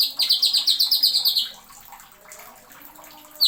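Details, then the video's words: Greater green leafbird delivering a quick string of about ten sharp, high, downward-slurred chirps, then near quiet with faint softer notes and one final bright note. "MASTERAN.CUCAK IJO NEMBAK ISIAN TAJAM."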